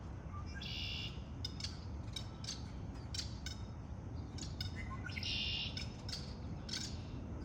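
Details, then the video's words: Several birds sing together in spring, short high chirps and trills with brief bright buzzy bursts, over a steady low rumble of background noise. "آوای آرامش بخش پرندگان در بهار(Relaxing with the sound of birds)"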